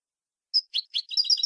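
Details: Goldfinch singing copia malaga style, a tutoring recording for young birds: a sharp high note, two lower buzzy chirps, then a tumbling, twittering run of mixed high notes.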